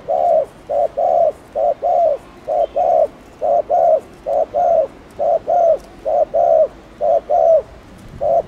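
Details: Spotted dove in the Thổ Đồng style, cooing to stir young doves into calling. A long, even sequence of paired hollow hoots, each short note followed by a longer one, for over eight seconds.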